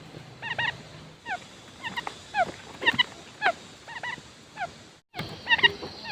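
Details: Decoy quail repeating short falling whistles and clipped double notes in an uneven rhythm. A low steady hum runs at the start, and there is a brief dropout near the end before the calls return.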